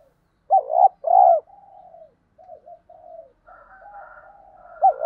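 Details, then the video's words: Spotted dove lure coo, 'giọng thổ đồng' style, meant to stimulate new birds into cooing. One phrase of hooked note and broad coo, followed by soft murmuring notes and a faint thin tone, and another coo beginning at the end. "Thúc gù gáy gọi/ tiếng Cu gáy mồi giọng ĐỒNG hạp bổi kích mồi luyện bổi mới gáy theo hiệu quả"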